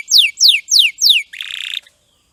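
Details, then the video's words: Canary (kenari) champion song: four loud descending whistled sweeps in steady rhythm, followed by a short rapid buzzy rattle, then silence. "MASTERAN KENARI JUARA !!! MASTERAN KENARI SUARA JERNIH HD"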